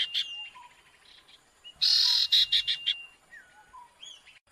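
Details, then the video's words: Owlet giving noisy lure calls: a loud burst of rapid, harsh, rasping notes in the middle, framed by faint thin whistles and short soft chirps. "Suara sirtu ribut pikat"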